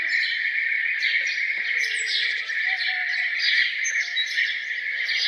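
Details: Morning bird chorus around a farmhouse, a steady wall of bright chirping and twittering from many birds with occasional higher whistled notes.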